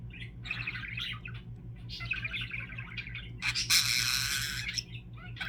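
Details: Pet budgerigar, a male, warbles in quick, bubbly chirps, then lets out a loud, raspy screech, his signature sound, which other budgies copy.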